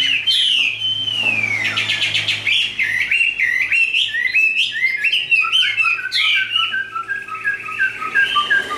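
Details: Tame caged Chinese hwamei, a strong competitive singer, pours out a loud, rich run of slurred whistles, jumping between rising and falling phrases with barely a pause.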